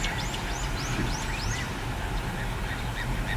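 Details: Little ringed plover recorded on 14 April 2021: a run of five or six high, arched whistled notes, each rising then falling, spaced about half a second apart, over a steady low rumble with fainter scattered bird calls behind.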